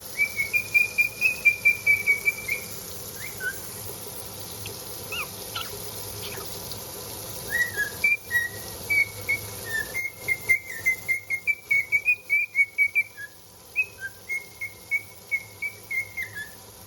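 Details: A cockatiel whistles a bright, wavering tune of quick repeated notes while the dishes are being done, with faint kitchen clatter behind.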